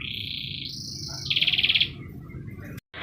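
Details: Canary song used to coax other canaries into song: a long high whistle held and raised, then a fast pulsed trill, followed by a noisy stretch, a short break and a renewed high tone.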